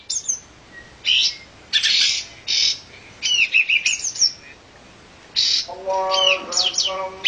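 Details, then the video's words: Olive-winged bulbul calling: bursts of sharp, high chirps and short buzzy notes in separate clusters, with a run of lower, steady, tonal harmonic notes near the end. "olive-winged bulbul"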